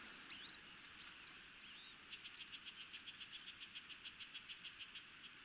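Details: Osprey chicks at a nest near Chesapeake Bay, Maryland, during a feeding on 26 May 2018. Faint, thin whistled notes slide up and down, then a rapid run of short high chirps repeats several times a second over a steady background hiss.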